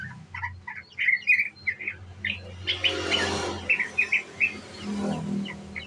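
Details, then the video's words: Young sooty-headed bulbul giving ngriwik song as a lure: short chirped phrases separated by small gaps, with a burst of hissing noise in the middle and a low hum underneath. "Pancingan Trucuk muda Ngriwik"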